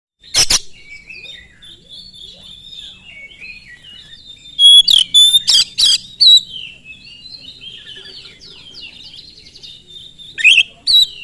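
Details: Oriental magpie-robin singing as a lure to provoke other magpie-robins: a long run of quiet warbled, scratchy phrases near one pitch, broken by loud harsh bursts around the middle and again near the end.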